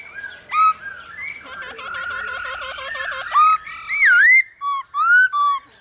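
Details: Male Hwamei singing to a female's calls, recorded for training birds to sing: a fast rolling series of looped notes like a trill, then loud rising and wavy whistles in short bursts.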